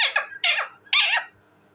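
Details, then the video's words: Three loud, raspy squawks from a talking parrot, each short and harsh with a slight downward slide, spaced under half a second apart, then quiet. "my amazing and cute talking parrot,parrot sound"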